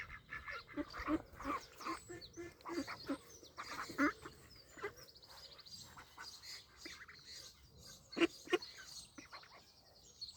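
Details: Scattered duck quacks at a pond in Wales, 23/5/26. Clusters of harsh calls come near the start, around four seconds, and again near eight seconds, with quieter chatter between.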